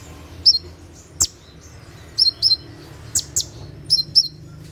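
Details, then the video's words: Caged sunbird at night giving its 'tembakan' song, used for training captive birds: spaced pairs of thin high downslurred whistles alternating with single sharp clicks, separated by short pauses. "SUARA TEMBAKAN KONIN SAAT DIMALAM HARI"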